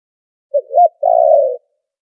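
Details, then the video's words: Noise-filtered spotted dove call used as a trapping lure: brief coo, a slurred up-and-down note, then a drawn-out vibrating croo lasting about half a second, low-pitched and soft, background silent. "Tiếng chim cu gáy chuẩn kích mồi đã lọc tạp âm | file mp3 cu gáy kích bổi"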